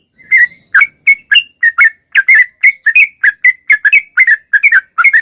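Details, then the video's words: Sooty-headed bulbul in full, energetic song, clean recording used to coax young songbirds: a continuous run of short, rounded whistled notes with slight upward inflections, tightly spaced and lively. "Suara Trucuk Gacor Super Jernih"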